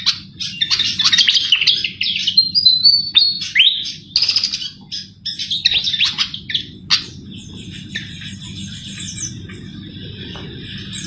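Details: Javan flycatcher (sikatan jawa) in lively full song for luring birds: fast, varied high chirps and whistled slurs in rapid sequence for seven seconds, then quieter thin trills fading out over low hum.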